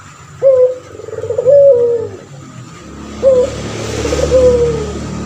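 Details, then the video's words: Male puter pelung turtle dove in full voice, a long-voiced tutor bird kept for training others: two coos, each a short sharp rising note, a rolling trill, then a long drawn-out note sliding down, with steady background hum. "Burung puter pelung jantan gacor , di jamin langsung nyaut"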